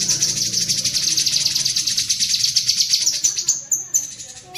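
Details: Rapid, rhythmic cerecetan of a cucak kinoi bulbul, a stream of high, pulsing notes over a faint low hum, ending in a few sharper squeaks. Used as training audio for pet birds.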